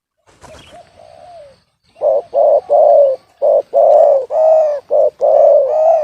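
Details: Spotted dove with a voice described as discordant: after a faint flat note and a brief noise, a rapid run of about nine short, full coo notes of varying length in quick succession.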